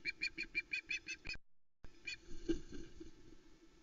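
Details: Young female osprey at the Loch Arkaig nest in Scotland, 1 September 2020, calling over a large trout from her father: run of harsh repeated squawks, then wind and rustling noise.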